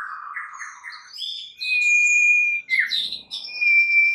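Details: White-rumped shama song for provoking other shamas to sing, from a champion bird: low warbling at first, then a long steady pure whistle with high sweeping notes layered above it.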